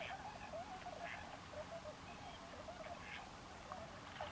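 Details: A gathering of tundra swans at Forsythe National Wildlife Refuge in New Jersey gives continuous overlapping soft hoots and yelps, with a few higher sharp notes standing out above the murmuring flock.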